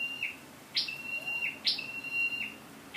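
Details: Lure-bird scarlet-backed flowerpecker recorded 12/10/14: three quick high calls, each a strong upward tick followed by a sustained thin level whistle, spaced just under a second apart.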